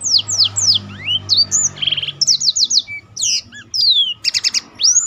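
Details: Black-throated canary, a tutor bird said to set other birds singing, delivering repeated downslurred whistles, buzzy rattles and stacked trills in a quick, continuous song.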